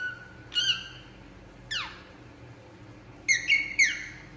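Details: Indian ringneck parakeet calling while relaxing: scattered loud, shrill calls, one long downward-sliding screech and a quick cluster of three sharp squawks, separated by quiet pauses.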